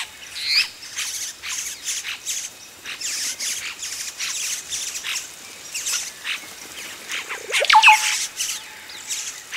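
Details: Yellow-rumped cacique chicks calling at close range while adults reach the nest, giving a dense, near-continuous series of rapid raspy chattering bursts that grow louder and more clustered toward the end.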